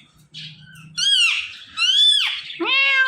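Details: From a talking parrot pair, two long wavering meow-like cries rise then dip, followed by a shorter upward-bending call, all loud and rich in overtones.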